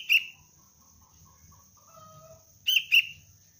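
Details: Sooty-headed bulbul youngster in lure training: a single sharp high chirp, a short pause with faint soft tones, then a quick double chirp, over a constant high-pitched hum.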